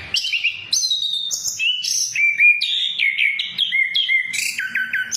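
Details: Singing orange-headed thrush, played as a lure for other birds, ngeplong style: loud clear whistled phrases in steps, some flat and held, ending in a quick series of three or four downslurred notes.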